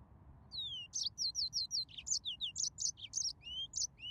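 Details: Yellow-fronted canary song beginning with a long falling whistle, followed by a quick series of repeated high chirps and a few rising whistles, clear and loud against quiet surroundings.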